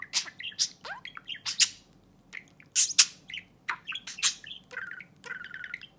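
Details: A domestic budgie talks to a person's fingernail, pouring out rapid, varied warbles: buzzy squawks, thin high chirps and a few lower rasping notes, tumbling in uneven bursts with barely a break.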